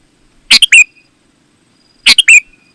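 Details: Sooty-headed bulbul singing actively, recorded for luring other bulbuls into answering; two brief bubbly phrases about one and a half seconds apart, each a sharp note followed by a slurred whistle, in a quiet background.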